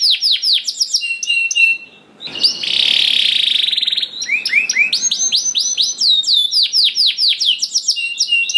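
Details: Domestic canary in lively 'gacor ngerol' singing, used as a lure to prompt other canaries to sing: fast series of high downward-sweeping whistled notes, a dense buzzy rolling trill in the middle, then more rapid descending sweeps and sharp chips.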